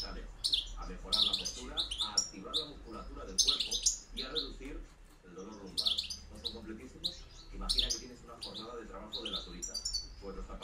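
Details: Goldfinch, 2013–2014 recording, delivering 'reclamo campero' song: bright tinkling phrases repeated every second or so with twittery runs between, while music plays softly underneath.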